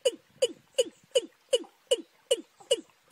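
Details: Watercock in March, a young bird's call mixed with a wild one's: eight evenly paced, deep, knocking downslurred notes, each with a short click at the start, about two and a half per second, with nothing else audible.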